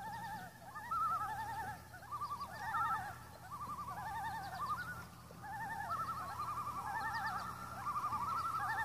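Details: Seven common loons on Intermediate Lake on August 6, giving overlapping wavering, quavering tremolo calls in bursts at several pitches. The calls rise and fall throughout, with a low steady hum beneath.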